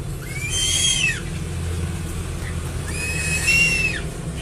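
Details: Crested eagle giving two long, clear whistled calls that arch up and fall away, roughly two and a half seconds apart, over a steady low drone.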